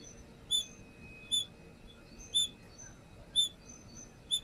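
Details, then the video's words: Lure calls of a brown-throated sunbird: piercing high chirps given in a series of six, spaced roughly 0.8 to 1 second apart, with faint background hiss. "Pancingan konin"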